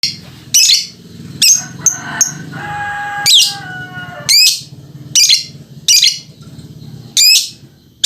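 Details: Lovebird dancing while chattering: loud harsh shrieks and rasping chirps in short bursts roughly every second, with a few softer whistled tones between them over a low indoor hum.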